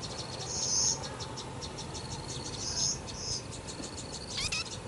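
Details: Four nestlings in a nest, fed insects by both parents, give thin, very high cheeps in quick buzzy bursts several times, over a steady insect-like chirring and soft background rustle.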